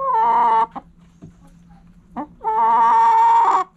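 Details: Backyard rooster crowing at morning sunrise: two loud, sustained harmonic crows, the first about half a second long, the second drawn out for over a second, separated by soft clucks and a steady low hum.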